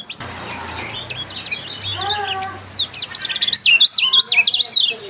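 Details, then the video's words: High, rapid warbling from a lemon-bellied white-eye with a strange quality, wavering zigzag phrases running almost continuously and rising in loudness, over a low steady hum. "Kecial suara aneh|Kecial Kuning"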